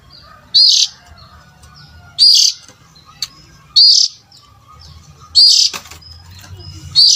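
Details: Harsh lure call of an oriental magpie-robin for adult birds: five loud rasping bursts with short upslurred whistles, about every one and a half seconds, with a few faint chirps and a low rumble behind.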